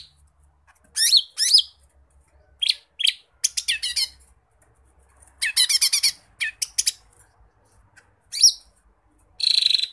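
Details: Lesser green leafbird (cucak ijo mini) in full gacor song on a masteran recording, delivering isian phrases as separate bursts: quick buzzy trills and high chattering notes broken by silent gaps of one to two seconds.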